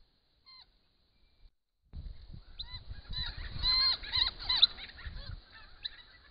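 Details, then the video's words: More than 20 Noisy Friarbirds gathered at flowering Grey Box eucalypts in autumn 2015. Several birds give harsh, nasal, downward-curving calls that overlap. A low rumbling background runs through. "Noisy Friarbirds in big numbers"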